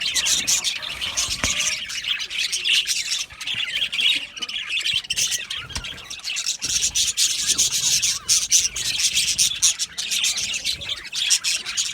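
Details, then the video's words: Budgerigar colony in an aviary, described as happy, producing a dense, continuous wash of high, scratchy chirps and warbles with brief louder squawks scattered throughout, many birds calling over each other. "Happy Budgies Sounds | Budgies Chirping Sounds | happy Budgie sounds for lonely Budgie birds"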